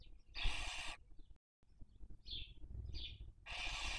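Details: Barn owl (Tyto alba) raising young on a nest webcam in Cabañeros National Park, Spain, 2023 breeding season: a harsh hissing screech, two short high chirps, then another long rasping screech.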